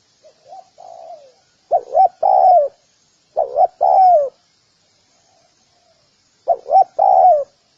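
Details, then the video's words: Soft introductory coos, then a spotted dove's full phrases: two short notes and a long descending coo, repeated three times with a quiet gap before the last. "Sound of Spotted dove"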